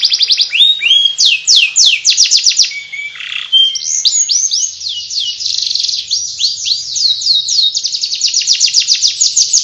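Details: Rapid ngriwik warble by a canary, high sweeping notes repeated several times a second, a brief harsh squawk in the middle, then long rolling trills to the end.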